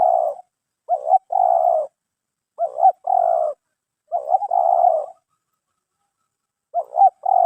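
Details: Terkukur (spotted dove) with the 'mersik' voice style; repeated two-part coos, a short clipped note then a longer rounded one, in four phrases separated by short silences, clean and undisturbed.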